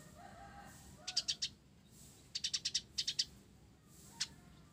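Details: Short high chirp clusters from a vigorously singing 'blorok' olive-backed sunbird whose song carries sparrow-like phrases, four bunches of rapid sharp notes followed by a single isolated chirp.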